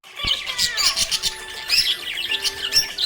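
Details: Pet budgerigar chirping happily: dense, continuous twittering and warbling chatter with quick rising and falling notes and short squawky bursts, filling the whole stretch without pause.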